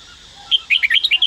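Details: Red-whiskered bulbul from Daklak, in song training, gives one quick phrase of about seven bright, warbled notes, dipping and rising, starting after half a second of quiet.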